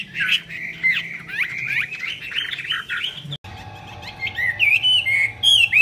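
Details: Chinese hwamei song with wing display: varied warbled and whistled phrases, a brief break, then clearer looping whistles, with a steady low hum in the background.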